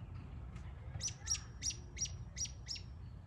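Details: American robin, whose sharp yeep or peek serves as an alarm, gives a run of six crisp, high notes spaced about a third of a second apart. Each note is clipped and bright over a quiet low hum.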